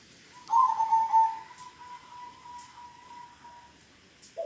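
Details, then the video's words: Local zebra dove singing in the kong style: a short burst of pure notes, then a long, steady, level whistled coo holding one pitch for about three seconds. A few faint clicks sound in the background. "Kumpulan Suara Perkutut Lokal Kong"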